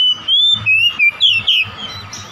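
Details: Oriental magpie-robin, a household bird, used as a lure to draw out other birds' song, gives clear whistled notes, some slurred downward and some sharply rising, in short separate phrases over a steady low hum.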